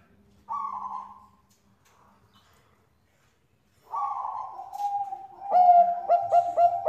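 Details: Vigorous Bangkok-type zebra dove song meant to lure other doves to sing: a buzzy falling coo, a pause, a longer wavering coo, then a fast stuttering series of short, bright repeated notes, with a low hum in the background.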